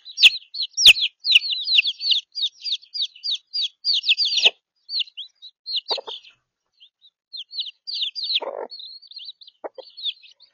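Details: Young chicks, some three weeks and some three days old, placed together for warmth after the mother abandoned the older brood, Australia. Busy high peeping with sharp downslurred notes, occasional lower clucking sounds and a few clicks.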